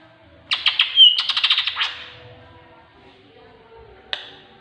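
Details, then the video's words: Greater green leafbird song carrying imitated tengkek buto notes, offered as training audio to prompt other birds to sing: a fast burst of sharp, ringing chattered notes lasting over a second, then silence and one lone piercing note. "Master Cucak Ijo || isian burung tengkek buto."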